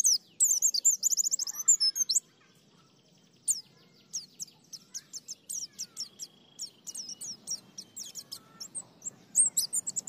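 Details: White-eye delivering ngalas, nembak and ngriwik song: a loud burst of fast high warbling, a pause, then a long run of thin sharp chirps at roughly two per second, swelling again at the end.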